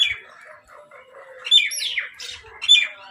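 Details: Low, soft grumbling notes give way to two loud, screechy squawks as crows fight for food. A grating, descending rasp falls between them.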